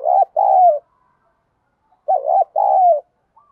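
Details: Spotted dove with a fight-inciting 'giọng đồng' voice, used to lure wild doves. Two identical low coo phrases about two seconds apart, each a quivering note then a longer, downward-sliding coo. The gaps are nearly silent.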